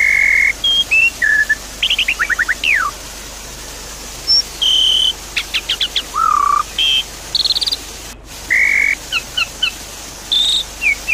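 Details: Javan pied starling song for coaxing a silent bird to sing: varied clear whistles at many pitches, short flat tones, quick rising slurs and rapid stuttered note clusters, with steady hiss behind.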